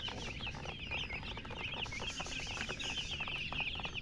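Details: Baby chicks of domestic hens peeping, a dense continuous chorus of short, sharp, high chirps overlapping without pause, with a low background rumble throughout.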